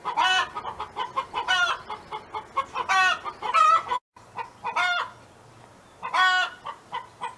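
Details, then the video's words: Hen from a neighbour's yard singing its chicken song: a series of loud nasal squawks with clucks between, a brief break, then further squawks spaced one to two seconds apart over a faint low hum. "Chicken Hen Sound Effect"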